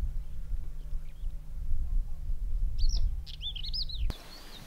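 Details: A run of about six arched, slurred high notes from a pied wheatear, ending in a sharp click, recorded in Bulgaria in May 2010 with constant low wind noise on a windy day.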